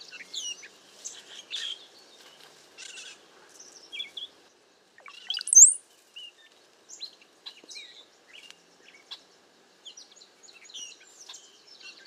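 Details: Cowbirds gathered in a bunch in a safe place during bad weather and strong wind: a busy mix of short high chirps, squeaks and sharp notes from several birds, with one louder squeal midway and brief pauses.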